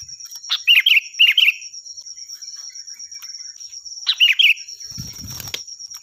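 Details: Sooty-headed bulbul (kutilang) with a loud, piercing song meant as tutoring material for other birds: three short bubbly phrases, two close together then one after a pause, with a low thump near the end and steady high whine.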